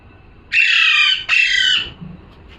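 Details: Parrot calling: two long, loud, grating squawks in quick succession, each close to a second long, followed by faint room noise.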